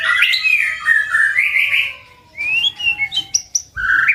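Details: White-rumped shama singing a very strong 'tạch' song used to provoke birds to fight: rich whistled phrases sliding around mid-high pitch, a long wavering warble, then a pause and quick rising notes and sharp upward flicks.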